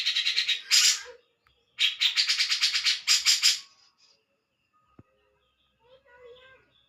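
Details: Grey-cheeked bulbul uttering loud scratchy rattling phrases in quick succession, about three bursts, then quieter faint notes and a brief click.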